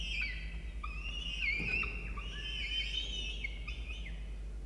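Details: Peregrine falcon nestling in a nest box at Orange, New South Wales, Australia, during a feeding by the adults: sustained high, rich wailing notes that waver and slide, running almost without pause.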